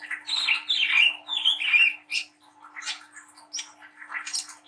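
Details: Young Brown-throated sunbird in speckled juvenile plumage chattering and singing briskly: high thin squeaky notes and short warbled phrases, loud bursts in the first two seconds, then scattered softer chips, with a faint steady hum underneath.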